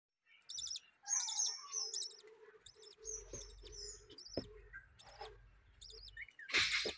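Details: Budgerigars kept at home, where new chicks have just hatched: a string of high, clipped, buzzy chirps repeated roughly every half second, mixed with a long whistled note, over a faint steady hum and a few soft knocks.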